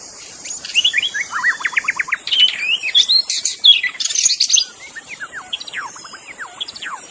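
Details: Wild magpie-robin song in forest: quick series of clear downward-sweeping whistles, then loose scattered notes, with insects buzzing steadily high above.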